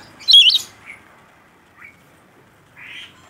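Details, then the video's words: Rainbow lorikeet in active voice: one loud, harsh, shrill screech at the start, followed by a few faint, short chirps and a soft, hissy note near the end. "Suara Burung Nuri Pelangi Gacor"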